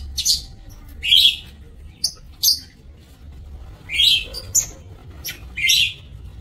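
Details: Lovebirds in an aviary, 27 March 2024: loud, shrill chirps with a rasping edge, given singly or in pairs roughly every second, over a low steady background hum.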